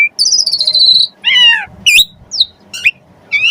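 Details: Asian pied starling singing richly, played to prompt other starlings to sing: a long wavering high whistle, a rough buzzy note, then scattered sharp rising and falling whistled calls over a faint low background hum.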